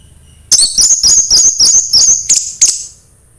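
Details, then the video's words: Orange-headed thrush song in the 'embun pagi' style, used to prompt a reluctant thrush to sing: a quick run of high, thin chirping notes repeated rapidly for about two seconds, ending in two sharper accented notes. "anis merah sulit gacor coba PUTAR suara burung ini | SUARA EMBUN PAGI"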